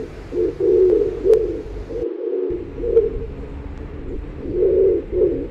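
Pigeons cooing: low, throaty, rolling coos that swell and fade, several overlapping through the clip, with a faint background hum.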